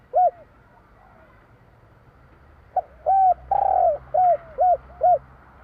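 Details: Spotted dove singing in the 'kuk 3' style: one coo, then after a silence a rapid string of hooting notes around a long, rough, rolling coo. Nothing else is clearly heard.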